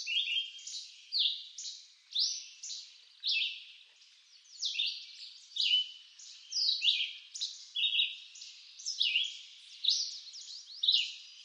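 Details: Red-eyed vireo, eastern North America, singing persistently in woodland: about a dozen short, varied whistled phrases, slurred up or down, given at a regular pace of roughly one per second, with no other sounds.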